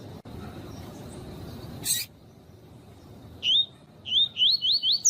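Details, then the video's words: Double-collared seedeater tutor song with female calls, used to train and excite captive males: quick, rising whistled notes, high and sweet, repeated about every third of a second after a short harsh burst; faint hiss behind. "CANTO DO COLEIRO TUI TUI PROFESSOR COM PIADO DE FÊMEA DE COLEIRO PARA ESQUENTAR COLEIRO TUI TUI"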